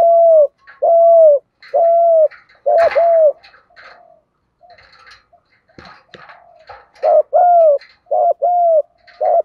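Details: Male and female spotted dove calls used to train and lure birds: series of deep paired coos, short then drawn out, broken in the middle by a few seconds of scuffling and soft knocks before the cooing resumes.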